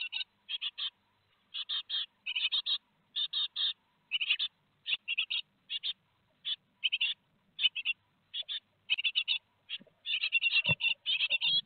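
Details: At Théding on 15 July 2020, great tit chicks two days before leaving the nest keep up scratchy buzzing chirps in irregular bursts, growing denser toward the end, with one low knock.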